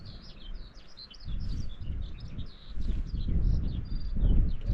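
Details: Skylark singing on a tor summit on Dartmoor during a wild camp in worsening weather: continuous, rapid, high-pitched twittering without pause, faint under heavy gusting wind rumble.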